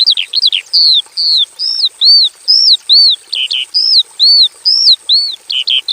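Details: In a plain aviary, a Javan bush lark alternates arched, hump-shaped whistles with quick paired chirps, roughly two notes a second, clean and loud over a faint steady high hiss.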